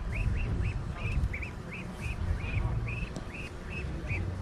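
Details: Female Muscovy duck, back at the marina after about a week indoors with an injury, exchanging calls with her mother at their reunion: rapid series of brief, arched chirps, steady rhythm, with low background rumble and a man's voice.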